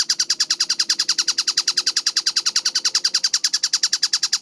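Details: Tengkek buto, a kingfisher, in a clear, fast masteran recording: steady rapid chattering of harsh, clipped notes at an even brisk rhythm, roughly eight per second, with a quiet low hum behind.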